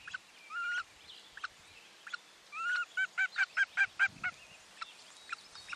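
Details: Common loon mother alerting on her nest platform after spotting something out on the lake, 9 July 2023, while her second chick hatches, nest camera. Two rising slurred notes lead into about seven rapid, loud quavering pulses, with faint bird chips behind.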